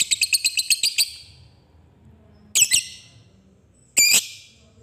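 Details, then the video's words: Lovebird chatter meant to set other lovebirds singing: a quick run of sharp chirps lasting a second, silence, then two short harsh rasping squawk bursts spaced well apart. "Suara Lovebird Ngetik Di Lanjut Ngekek Panjang"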